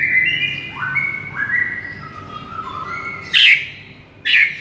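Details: White-rumped shama song used as a lure for a listless bird: drawn-out whistled notes stepping down from high to mid pitch, then two loud harsh bursts near the end.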